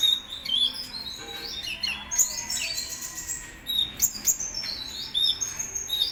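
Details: Kolibri ninja singing in lively form: scattered high thin chirps and short whistled slurs, some sharp rising notes, over a hissy background with faint other chirping.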